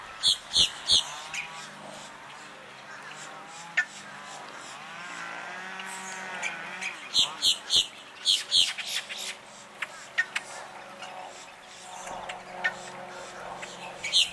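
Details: A family of black-bellied whistling ducks, a mother and eight young, dive, preen and bathe on a cool January 2023 afternoon, giving high, thin whistles in quick bursts of three or four notes with pauses of several seconds, over a low hum.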